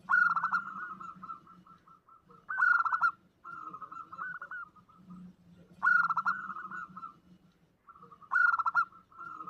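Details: Female zebra dove calling to attract a male, omyokan lure style: loud rolling coo bursts followed by softer trilled tails, phrases repeated about every three seconds over a low background murmur.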